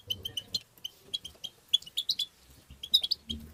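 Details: European goldfinch song used to stimulate goldfinches: continuous, lively high twittering with quick chirps and slurred notes throughout, over a low rumbling background noise.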